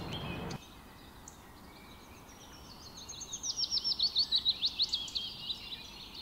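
Oriental Magpie-Robin giving a quick run of about a dozen bright, high, whistled notes in two seconds, after a brief rustle and some faint background chirps.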